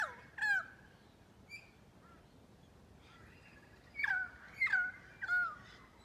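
A currawong gives loud, ringing calls that swoop down in pitch, one near the start and then three close together about half a second apart.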